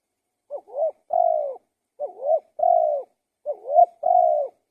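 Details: Spotted dove singing: three cooing phrases about 1.5 seconds apart, each a short dipping two-note coo followed by a long, steady, slightly falling coo, with silence between.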